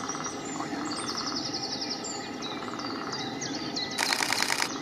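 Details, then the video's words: Series of quick, even, high-pitched piping notes from a lesser spotted woodpecker, recorded at Diemer Vijfhoek on 30 March 2019, set against many twittering songbirds; a sudden loud rustle near the end. "Kleine Bonte Specht"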